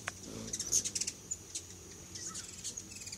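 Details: Hummingbirds visiting a feeder stocked with homemade food; sharp, very high ticking chips come in a quick burst near the start, then sparser single and paired chips, over a steady thin high-pitched whine and soft low background rumble.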